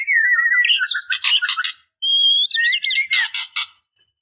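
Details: Female white-rumped shama calling males: slurred whistles gliding between about two and three notes, then dense chattering bursts, a pause, a rising whistle and more harsh rapid notes.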